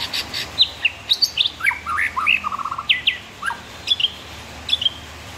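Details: White-rumped shama song: a quick string of sharp, clear whistled notes jumping between high and mid pitch, some slurred downward, ending in a short burst of rapid lower trilled notes, with notes spaced irregularly.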